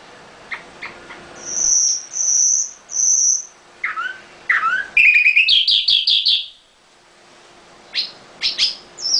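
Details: A caged Common nightingale sings three pure high whistles, then down-slurred notes and a fast rattling trill, ending in sharp high chips. The song is varied, rich and strongly phrased.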